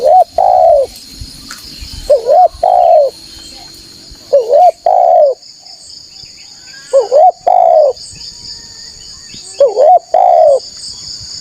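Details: Spotted dove calling as a decoy for wild rival doves; five evenly paced phrases, each a brief trilled note and a longer mellow coo, separated by quiet gaps of about two seconds, with insects droning high above.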